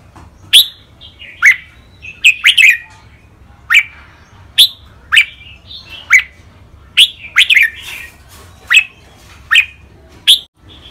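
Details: Caged red-whiskered bulbul training song, rik, beul, lak wai, mae bot and nap dok styles. A lively steady series of sharp bright whistled notes, roughly one per second, some in quick pairs, with soft warbles between.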